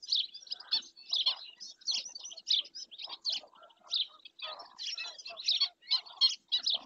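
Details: Black-winged stilt at Doñana National Park, Spain, seen on a wildlife camera: persistent high, harsh chatter of closely packed notes, continuing without a real break for seven seconds.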